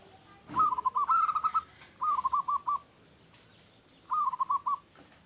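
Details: Local zebra dove cooing loudly as a lure for other doves: three brisk phrases of clipped staccato notes, each about half a second long, over a steady background hiss.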